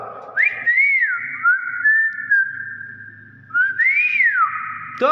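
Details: Hill myna mimicking whistled phrases: a long wavering, rising-and-falling whistle, a pause, then another arched whistle, with soft background music and a voice urging it on.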